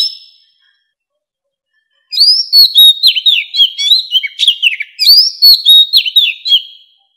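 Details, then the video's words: Mature wild Oriental magpie-robin song for luring wild birds: a brief note, two seconds of silence, then a loud, fast series of sharp whistled downslurs and clicks repeated for about five seconds. "Tiếng chòe than già rừng hót - Tiếng chòe than gọi bổi"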